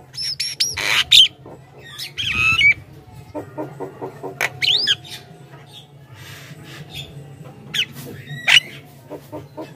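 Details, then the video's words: Javan myna in full song for luring other mynas: a varied jumble of sharp whistled sweeps, harsh bursts and rapid ticking notes, loud and then softer, set against a constant low-pitched hum. "suara burung jalak kebo gacor,ocehan full bikin jalak lain ikut gacor dalam sekejap"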